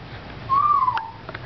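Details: African grey parrot chatting at home: a single smooth whistled note, slightly rising then gently falling, lasting about half a second, followed by a couple of soft clicks in a small room.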